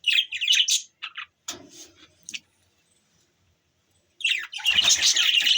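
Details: Budgies chirping in loud, busy bursts of warbling, scratchy chatter, a quiet pause of a few seconds, then a dense flurry of overlapping chirps.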